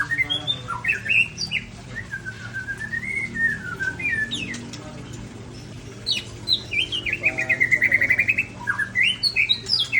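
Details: Ujong Pancu, Aceh white-rumped shama of large build delivering a rich, varied song of swooping whistles, high sharp notes and a rapid rattling trill, phrases following one another with little pause; faint hum underneath.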